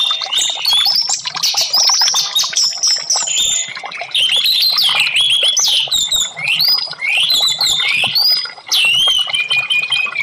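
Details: Caged-bird therapy recording of orange-headed thrush song: varied loud whistled phrases that rise and fall, with rapid slurred notes and sweeping upward whistles, delivered in a continuous stream with brief pauses.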